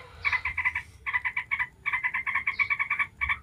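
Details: A ngebren-style yellow-vented bulbul lure: bursts of quick, harsh chuckling notes, several per second, separated by short gaps, with a slight low hum beneath.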